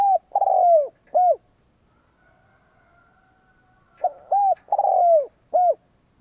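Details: A kept spotted dove used as a decoy against rival birds repeats its cooing phrase twice, each a rolling descending coo followed by clear rounded notes, separated by a quiet pause of about two and a half seconds.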